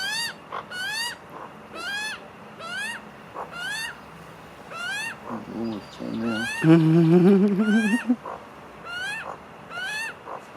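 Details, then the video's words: Magpie family eating together; repeated rising nasal calls with strong overtones, about one each second, interrupted midway by a loud lower gargling sound and a human voice. "Magpie family eating together making funny noises"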